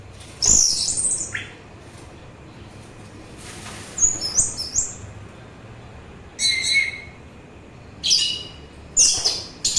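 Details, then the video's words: Orange-headed thrush singing, meant as a calming recording and bird lure: separated bursts of very high, scratchy and whistled phrases, with a few lower slurred notes, coming every one to two seconds among quiet gaps. "Begitu Syahdu Suara Anis Merah"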